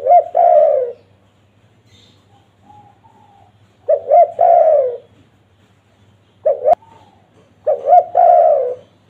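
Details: Spotted dove cooing for luring wild doves: a paired short note, then a long mellow coo falling in pitch. Four phrases with short gaps, plus a brief click near the third.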